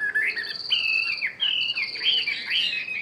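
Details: Caged Chinese hwamei, one year in the cage, sings clear drawn-out whistles that slide and bend, over a thin steady high tone.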